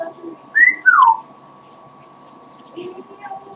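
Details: Pet parrot, getting tired, gives one whistled phrase that rises then slides steeply downward, followed by quiet low chatter in a small room.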